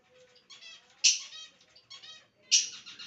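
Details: Pet lovebird in a playful mood giving short raspy chirps and squawks in an uneven series, about four bursts, two of them louder and sharper than the rest.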